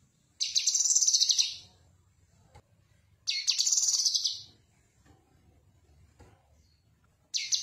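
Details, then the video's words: Cucak kinoi song used to train other songbirds: repeated high, buzzy, rattling trills, each about a second long, recurring roughly every three seconds, with faint low background noise between them. "Suara Khas Burung Cucak Kinoi"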